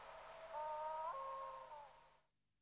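A black-throated loon gives one drawn-out, mournful note lasting about a second and a half, which jumps abruptly in pitch midway and then holds steady. The background is quiet.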